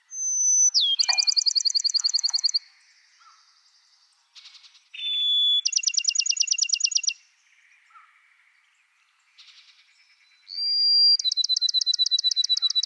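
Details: Bachman's Sparrow, a specialty of the East Texas piney woods with sparse understory shrubs, gives three songs, each a long, pure whistled note followed by a rapid, ringing trill, every song pitched differently; faint distant birds between.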